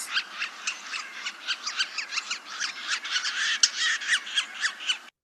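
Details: Two territorial Yellow-bellied Sapsuckers interacting close up in spring woodland, friendly or unfriendly is uncertain: a rapid, squeaky chatter of nasal, mewing notes, several per second.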